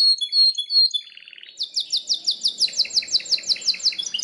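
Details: Belgian canary giving high whistles and a low buzzy trill, then a rapid regular series of bright descending notes with softer echoing chirps beneath.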